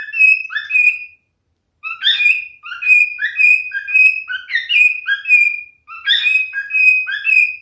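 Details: A male cockatiel sings almost without pause: chirpy whistled notes that rise and fall in quick succession, with one brief gap early on. The phrases are bright and warbling, with nothing else audible.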